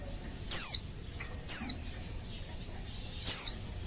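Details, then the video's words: Oriental white-eye female in breeding condition calling to males; three loud, thin, high whistles sliding downward, about a second apart, with faint softer notes between. "Suara Burung Pleci Betina Memanggil Jantan"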